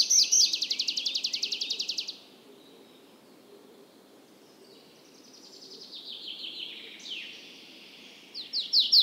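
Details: Tree pipit (Anthus trivialis) song: a fast run of sharp, high repeated notes, then a thin drawn-out phrase, ending with a few bright trills.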